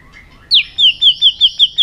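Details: White-rumped shama singing competitively. A soft, low warble is followed by seven loud, high, clear notes, each sliding downward, repeated about five times a second.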